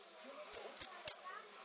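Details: Red fody (Foudia madagascariensis) song: three very high, thin, squeaky notes in quick succession, about a quarter-second apart, over a quiet background.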